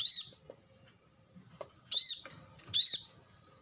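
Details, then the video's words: Three loud, high, squeaky chips from a plain-throated sunbird, with a pause after the first and the last two closer together. "kolibri kelapa | manggar | wiceh | korlap gacor tembakan rapat"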